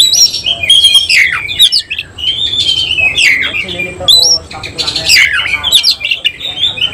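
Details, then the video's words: Oriental magpie-robin of the semi cililin type, singing at once in rapid bursts (nembak) while fluffing up and spreading its tail (ngobra). Loud, varied high whistles slur up and down, mixed with harsh chattering notes that run almost without pause. "Kacer langsung NEMBAK NGOBRA BUKA EKOR || KACER SEMI CILILIN"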